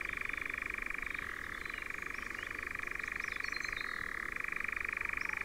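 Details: Dorset heathland forest near Verwood, Ringwood Forest, with European nightjars: a continuous rattling churr that shifts down in pitch for a moment near one second and again near four seconds, and soft high twitters above.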